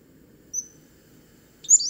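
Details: Pacific-slope Flycatcher song on Vancouver Island near Victoria, a canopy bird more often heard than seen: a thin, high whistled note, then after about a second a sharper, sliding high note, over a faint low hum.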